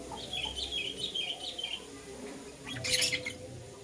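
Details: Lutino lovebird in the morning, first a run of thin, wavering whistled chirps repeated several times, then a sudden harsh, loud squawking burst near the end.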